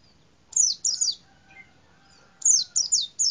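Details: White-eye perched in a cassava tree gives high, sharp descending chirps in two bursts, first three quick notes, then four after a pause, with faint thin lower whistles between.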